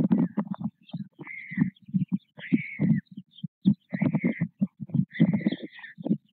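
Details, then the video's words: White stork chicks at a nest in Nové Mlýny, being fed by their parents about every half hour, recorded 6 May 2024: rapid low throaty chattering pulses with repeated drawn-out nasal mewing cries, in bursts throughout. "Krmeníčko, krmení, jak nám ta čápátka krásně baští, rodiče podávají dobroty snad každou půlhodinu"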